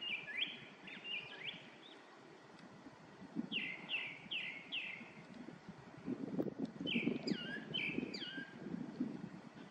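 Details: Grey-backed thrush song in fluty whistled phrases, each a bright note sliding downward, delivered in quick sets of three or four. A softer low rumble and some chattering from other birds sit underneath in the second half.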